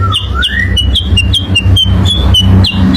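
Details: Sooty-headed bulbul lure song: short, bright down-slurred chirps repeated about twice a second, with one slow rising whistle near the start, over a steady low hum.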